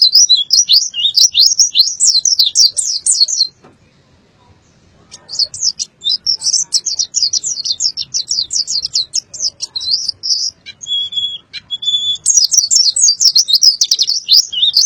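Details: Boyolali pleci (white-eye) giving open-beaked 'isian' song: long bursts of fast, buzzy high twittering, a short pause, then renewed rapid chattering with a couple of steady whistled notes before the final burst.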